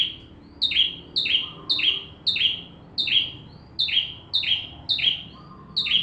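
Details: Bar-winged prinia singing in full as a tutor for magpie-robins: evenly spaced high buzzy chirps, roughly two per second, over a faint hum of background noise.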